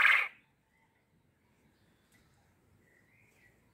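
A male quail gives one short, harsh, loud burst of a call, then falls silent; only faint background hiss follows.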